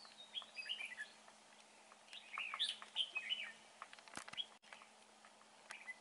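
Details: Red-whiskered bulbul singing at a trapping site, praised for its good voice: quick, bright, warbling phrases with sweeping up-and-down notes, clustered in the first half, then scattered chirps and a sharp knock.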